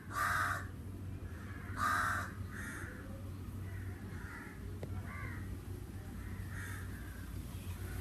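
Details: Crow in summer giving two loud, harsh, close caws followed by a run of quieter, more distant caws at an uneven pace, over a low background hum.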